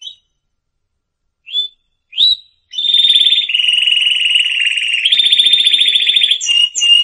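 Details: Training song of a canary: a few short rising chirps after silence, then a long sustained rolling trill that jumps up in pitch midway, ending with brief high notes.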